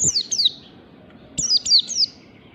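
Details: Oriental white-eye singing in the 'ngalas' style in the morning, used as a lure for training birds: two quick high, thin downslurred whistled notes, a pause, then three more in a bright cluster, with faint low background hum.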